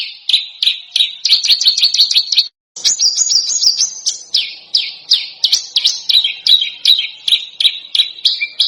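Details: Harsh, dense bird song for training contest birds: rapid, scratchy high chatter and trilled phrases, then a short break, then shriller, sliding whistles mixed with sharp chips to the end.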